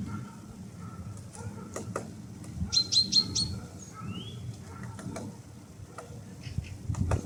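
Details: Great spotted woodpecker in Pärnu, Estonia, on 6 May 2026, giving four sharp, high 'kik' notes in quick succession, with other birds chirping and whistling and a steady low rumble behind.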